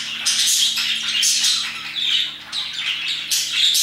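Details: Parakeets chattering around 2pm in loud rasping bursts roughly once a second, bright squeaky notes mixed in, with short dips between flurries.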